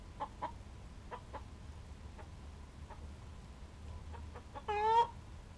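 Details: Hen's egg song: quiet, irregular clucks for several seconds, building to one loud, drawn-out, rising squawk near the end, over a steady low rumble.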